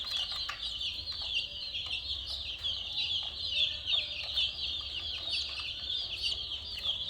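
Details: Colourful chicks chirp in a dense, unbroken mass of high, thin peeps, fairly even in loudness throughout.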